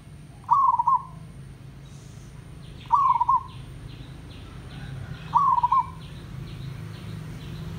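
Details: Village zebra dove singing, used as a tutor so other zebra doves call more often: a soft trilled coo phrase ending in clipped notes, repeated three times about every two and a half seconds over a low hum.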